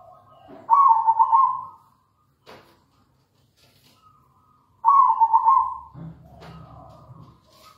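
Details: Local zebra dove singing as a lure for other doves: two loud bubbling, trilled coo phrases about four seconds apart, with soft clicks between them and a low hum after the second phrase.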